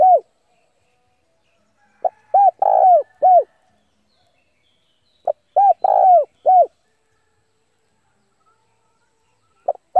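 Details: Spotted dove used as a decoy, calling rivals to come and fight: soft, low, mellow cooing in grouped phrases of short hooting notes with a longer middle note, separated by long silences.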